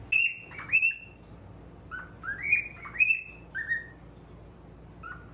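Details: Male cockatiel kept as a pet, facing a mirror, giving a run of clear whistled notes, some sliding upward and others held level, interleaved with short lower chirps at an irregular pace against a quiet indoor background.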